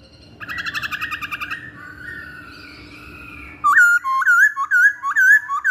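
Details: Masked laughingthrush song meant to lure or train birds: a soft rattling trill and quiet warble give way to loud, rising and falling whistled notes repeated about twice a second.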